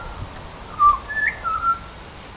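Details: Butcherbird giving a brief run of clear whistled notes, a level tone, then a short rising slur, then two flat notes in quick succession, over a faint low background hum.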